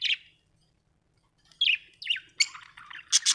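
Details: Happy budgie chirping: a clear rising-falling tweet, a pause, then sliding whistled chirps followed by scratchy chatter and sharp squeaks.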